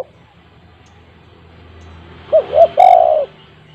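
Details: Spotted dove, recorded to set silent household doves calling: after a quiet stretch with faint hiss, two short rising coos lead into a long, loud, rolled coo that fades at the end.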